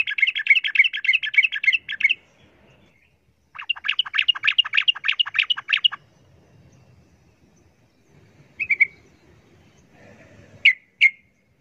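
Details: Yellow-vented bulbul fighting a wild bulbul, in an agitated exchange: two fast bursts of bright, bubbling chatter, each about two seconds long, followed by a few sharp, isolated chirps.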